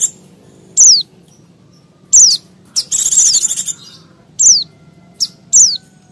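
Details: Mountain white-eye calls used as a lure for wild birds: high, thin descending chirps repeated at irregular intervals, with one longer rapid buzzy trill in the middle.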